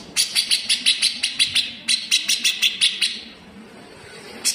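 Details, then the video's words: Dense besetan from a cage grey-cheeked bulbul, rough and sharp, recorded as a model for training greater green leafbirds: two long volleys of about nine and eight grating notes, then near-silence and one final rasp. "CUCAK JENGGOT GACOR BESETAN RAPAT"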